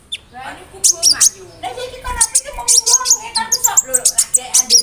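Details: Konin bird song stuffed with cricket and bird imitations for teaching songbirds; lower chattering, harmonic notes mixed with bursts of sharp high chirps in quick clusters.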